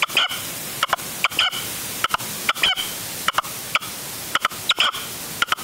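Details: Decoy red-legged partridge used for hunting in upper Huelva, Spain, on a January 2023 afternoon stand; repeated clipped, grating double notes come roughly every half second to second, some louder and more ringing, over constant hiss.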